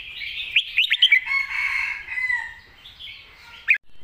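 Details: Red-whiskered bulbul singing a master song style, quick bright whistled phrase of four or five rising and falling notes, then a blurred mass of overlapping chatter and a final sharp note.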